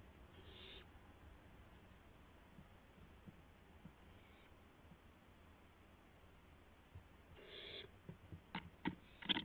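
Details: Barn owl owlet testing its wings, April 12, 2016, just past midnight: a short rasping hiss, a long quiet stretch with a faint hiss, then a louder hiss followed by quick clattering taps.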